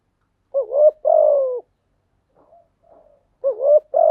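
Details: Low, mellow cooing of a spotted dove, meant for training freshly caught doves to sing. A wavering double coo is followed by a longer falling note, then faint soft notes, then the next phrase begins.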